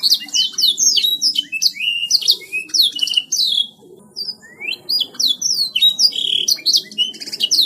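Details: Gacor canary song. Rapid bright whistles and downward-sweeping chirps pour out in busy bursts. Near the middle comes a brief quieter gap with a few rising notes, then the energetic phrases resume.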